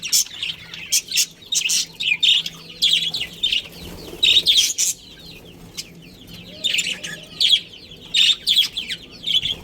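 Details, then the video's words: Colony of budgerigars with a breeding pair, giving repeated high, shrill chirp bursts about every second, with softer chattering warble in the gaps. "Cute Budgies Chirping Sounds"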